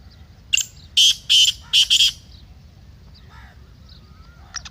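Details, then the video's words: Black francolin (kala teetar) giving one phrase of loud, harsh, grating notes grouped in pairs, followed by soft whistles and twitters from other birds. "Kala Teetar masti aur chakri k liye behtareen awaz/Black Teetar Voice"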